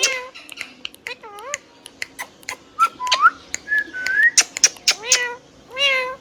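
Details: Tame pet Rose-ringed parakeet mixing whistled notes with mimicked talking: wavering whistles, short rising slurs and repeated syllables, punctuated by clicks.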